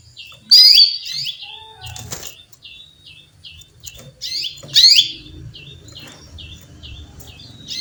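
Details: A female canary calls toward a male with two loud, bright downslurred chirps, trailed by series of small clipped notes and some faint rustling or fluttering sounds.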